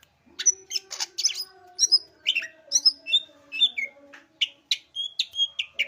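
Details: Leafbird (cak ijo) singing energetically, delivering rapid varied high chirps, buzzy notes and short falling whistles in quick succession, with a faint low tone underneath.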